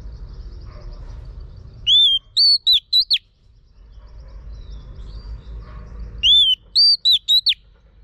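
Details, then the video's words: Female Oriental magpie-robin whistling to stimulate a male: the same quick five-note whistled phrase given twice, about four seconds apart, with soft background hiss between. "chòe than mái HUÝT KÈM THÚC TRỐNG.chòe than mái kích trống căng lửa"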